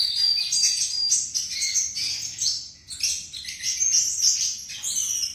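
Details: Flycatcher song, described as melodious and beautiful: a busy run of high, sharp chirps and short whistled notes, some thin pure tones, with brief pauses between bursts and a faint low hum underneath.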